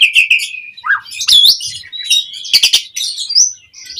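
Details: Asian pied starling singing in the energetic mompa style, used as a lure to set other birds singing: slurred whistles near the start, then bursts of sharp chattering notes and high rising whistles, with no other sounds.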